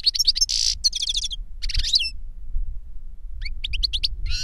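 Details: Caged European goldfinch, a master bird whose recorded song was used to teach a novice goldfinch, singing 'reclamo' style: rapid bursts of high twittering and trilled notes, a buzzy harsh segment, then pause and renewed tinkling phrases, with low background hum.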